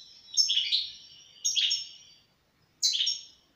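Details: Three separate bursts of twittering song from a European goldfinch, each a quick cluster of bright chirps and a short buzzy trill, divided by gaps of silence.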